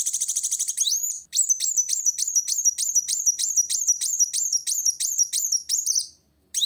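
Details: Olive-backed sunbird singing to challenge a rival: a brief fast high rattle, then a long quick run of sharp rising-falling notes about three per second, closing with silence.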